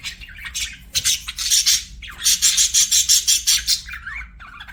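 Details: Budgerigar chirping: fast bursts of harsh, buzzy high chatter, then a run of about ten rapid pulsed squawks, ending with a short warbled twist.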